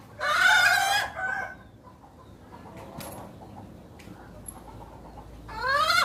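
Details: Hen making an odd, unique call: one long, harsh, buzzy squawk with a short tail, then near silence with faint distant clicks, ending with another strident squawk that rises in pitch.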